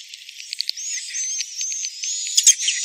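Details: Edible-nest swiftlets, in a context of swiftlet nesting buildings and raising colony numbers, give thin, high twittering chirps and drawn-out whistled notes, broken by quick clicks, with a faint steady hiss underneath.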